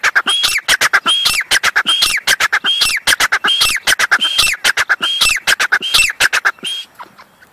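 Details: Grey francolin calling after a chick was caught: loud, fast series of sharp ringing notes with clicking bursts and high whistled upslurs, repeated rhythmically for about seven seconds before fading.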